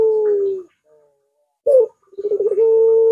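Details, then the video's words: Puter dove used as a lure for its own kind. The long level coo tails off, then a brief sharp note follows, then a bubbling roll that settles into another drawn-out hooting tone. "Masteran Burung Puter !! Suaranya Melengkung Panjang Cocok Banget Dijadikan Pancingan Puter"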